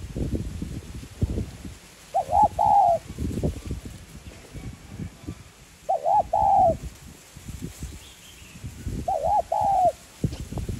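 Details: Spotted dove with a 'giọng son' voice style, cooing to stimulate and train caged decoy birds. Three short mellow coo phrases come about every three and a half seconds, with low thumping rumbles in between.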